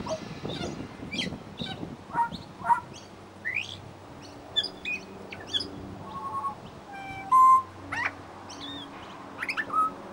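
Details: Pied butcherbird singing and imitating local sounds in suburban Brisbane, Australia: varied sharp chirps, pure sustained whistles and a burst of rapid stacked notes, with a low steady hum behind.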